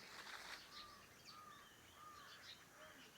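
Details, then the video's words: Around a farmhouse in the morning, clear slurred whistles repeat about every half second among softer chirps and faint twittering, with a steady hiss behind. "Sounds of birds in the morning around my farm house"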